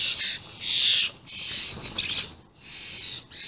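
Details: Common starlings, juveniles together with adults, 28 May 2016: long grating, hissing screeches, each lasting around half a second, separated by brief pauses.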